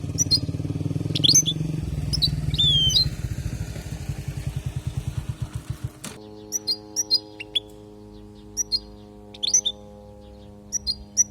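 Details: European goldfinch, Palestine, tutoring recording for young goldfinches: high sweeping twitters over heavy vehicle and engine noise, which cuts out midway, leaving quieter, evenly spaced short chips over a low hum.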